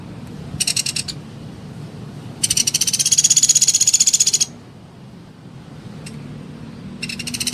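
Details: A short trill burst, then a two-second rapid, high-pitched trill, with another trill starting near the end. The rufous piculet tutor calls are meant to set other piculets calling.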